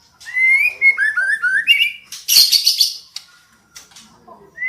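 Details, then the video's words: White-rumped shama female, voice used to stimulate a male to sing: stepped whistled notes descending then rising, followed by a loud harsh rasping burst and a faint low whistle. "Suara murai betina memancing murai jantan gacor"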